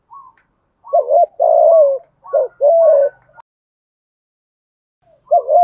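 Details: Rhythmic spotted dove coos, the thúc gù style in thổ voice for rousing decoy birds: two clear pairs of a brief hooted note followed by a drawn-out coo, a silent pause, then another short coo.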